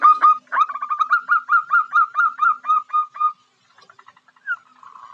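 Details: Calling female zebra dove attracting a male: a steady series of short hooting coos, about eleven in a row, then a pause with faint scattered notes and a last softer coo.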